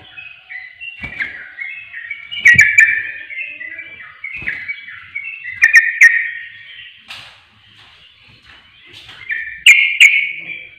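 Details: Sooty-headed bulbul song played as a lure to provoke other birds: bubbly warbled phrases of quick rising and falling notes, repeated in bursts with short pauses, with sharp clicks and taps between phrases.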